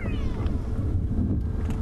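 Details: At sunset on 24 January 2016 at Sabi Sand, a go-away-bird in the background gives its nasal, drawn-out falling 'go-away' alarm-type call over a steady safari vehicle engine rumble and faint voices.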